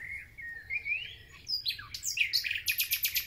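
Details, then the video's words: Thrush nightingale in full song, heard as a sign that spring has begun: thin rising whistles, then a quick upward sweep, then a loud run of rapid, evenly repeated sharp clicking notes. Other birds sing faintly behind it. "Słownik Szary koncert na całego to znak że zaczęła się wiosna"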